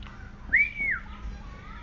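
An oriental magpie-robin gives a single clear, sustained whistle that rises slightly, holds, then falls away, over a faint background hiss.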